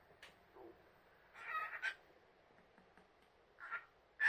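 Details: Cockatiel (Nymphicus hollandicus) chattering quietly to itself in short, scratchy bursts broken by brief whistled notes.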